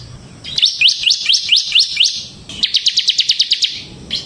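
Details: Ngebren-style bar-winged prinia song played to lure and tutor other birds: about seven quick upslurred whistled notes, a short gap, then a rapid burst of around eleven high, clipped notes, with one note trailing at the end.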